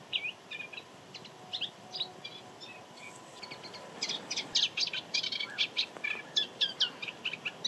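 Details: Song of a male moustached warbler at the Jaroslavice fishponds bird area, late March or early April 2022, evening or morning in poor weather: a fast, high, scratchy chatter of dense clicking and buzzy notes, speeding up in the second half.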